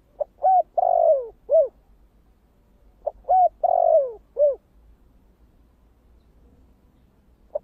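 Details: Spotted dove singing the thổ kích bổi cooing style. Two full phrases about three seconds apart, each a tiny lead note, a short arched coo, a long falling coo and a closing arched coo. A faint note ends the recording.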